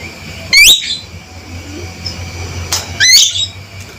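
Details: Two piercing calls from a male Javan myna, each a harsh rasp breaking into high, rising, squeaky tones, separated by a couple of seconds of quiet hiss.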